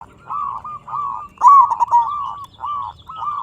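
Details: Local Indonesian zebra dove (perkutut) singing actively, used as a lure to make other zebra doves answer: mellow cooing notes in short staccato bursts followed by longer level coos, repeating steadily, with faint background hiss.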